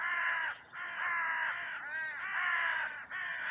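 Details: Trail-camera recording of crows in a cemetery on a sunny day, as crows rush in from all directions in an outcry after two of them fought. A near-continuous stream of rasping, drawn-out caws overlaps, with one brief pause.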